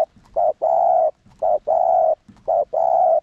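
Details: Spotted dove acting as a caller bird to incite rivals to coo. Three pairs of coos, each a short note then a longer sustained one, spaced about a second apart. The surroundings are quiet.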